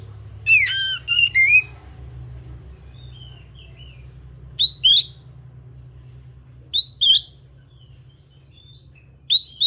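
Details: Kacer singing a quick descending warble, then evenly spaced pairs of loud rising whistles every two seconds or so, over a steady low hum.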